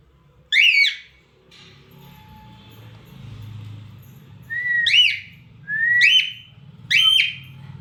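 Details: A cockatiel imitating sounds, giving a series of bright, rising whistled notes, each sliding upward and ending clipped.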